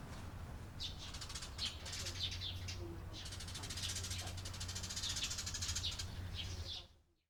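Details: Eurasian tree sparrow on 28 April 2022. Repeated sharp chirps are mixed with a rushing, fluttery hiss that sounds like wingbeats. Low background noise runs throughout, and the sound cuts off near the end.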